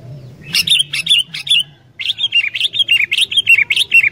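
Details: Sooty-headed bulbul in energetic song, played to set wild bulbuls singing: two runs of rapid, chattering, fluty notes separated by a brief pause, each note bright and slightly warbled, with a soft low hum beneath.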